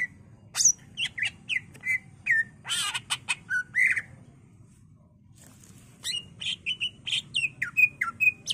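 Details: Greater green leafbird (cucak ijo) in full varied song for lure and master training: rapid sharp clicks and chips mixed with slurred whistles, a short pause, then a quick series of downslurred whistled notes over a low hum.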